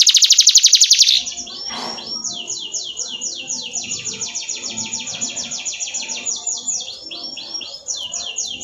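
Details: Canary song used for training other birds: a loud fast buzzy trill opens, then a long steady series of rapid sweeping high notes repeated several times a second, with faint background murmur.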